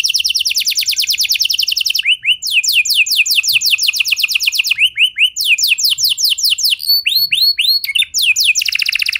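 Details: Canary song played to prompt other canaries to join in, a continuous run of rapid rattling trills and rolls broken by short whistled slurs, switching between trill types every second or two.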